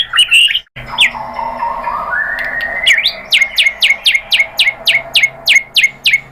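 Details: White-rumped shama song played as a lure to make captive birds answer and sing: a rising whistle, then a fast series of about thirteen sharp, downward-sweeping notes, each ending in a short tone.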